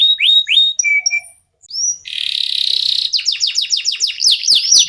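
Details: Local canary used as a singing prompt for competition songbirds: clear rising whistles and a short held note, a brief pause, a harsh buzzy trill for a second, then fast sweeping chirps repeated in series.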